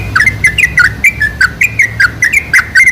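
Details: Sooty-headed bulbul song used as a lure to make other bulbuls sing: a rapid, bubbly string of short liquid whistled phrases. Each rises and falls and repeats about every quarter second throughout, over a faint low hum.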